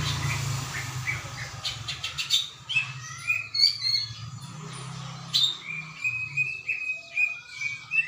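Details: Greater green leafbird singing on 21 December 2024, with sharp chips and a rapid series of repeated bright whistled notes near the end, set against a low steady hum.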